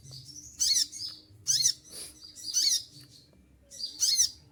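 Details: Olive-backed sunbird during its moult gives four loud, shrill high bursts, roughly a second apart, with a softer hissing sound between the second and third.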